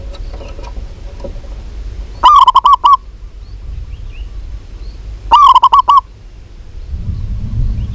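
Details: A local zebra dove, female, calling a male with two rapid bursts of five clipped, slightly rising coos separated by three seconds, faint twittering and a low rumble late on.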